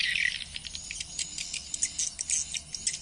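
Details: Swiftlet lure call broadcast from speakers while waiting for the birds to respond, heard as fast high ticking chatter in short bursts over a steady low hum.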